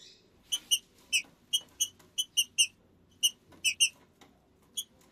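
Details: Trinca-ferro, the green-winged saltator, repeating short bright metallic chips, often in pairs, at about forty per minute with uneven gaps, against a quiet low background.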